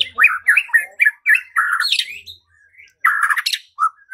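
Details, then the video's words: Harsh, squawky phrases from a white-rumped shama, roughly four a second, then a short pause and another burst; sound aimed at provoking singing and fighting. "Murai batu LANGSUNG TARUNG dan IKUT GACOR dengan pancingan seperti ini"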